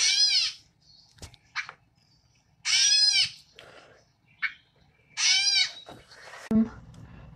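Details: A gray catbird, common in southern Wisconsin, gives three cat-like mews, each a slurred nasal note about half a second long, roughly every two and a half seconds, with a few short chips between.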